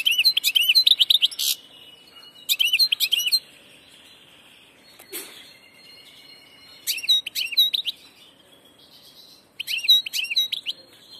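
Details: A wild-caught passage European goldfinch sings four bursts of rapid, high, tinkling twitters and liquid chirps, each about a second long, separated by short pauses.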